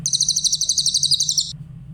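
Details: Song of a Grey-headed canary-flycatcher, clear in tone, used to teach other songbirds: one high, quick, regularly pulsed trill lasting about one and a half seconds, then only a soft low hum.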